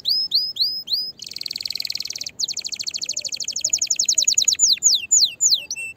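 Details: Canary singing to stimulate other canaries and prepare females for mating: rising whistled notes, a dense buzzy trill, then long fast runs of repeated sweeping notes speeding and slowing.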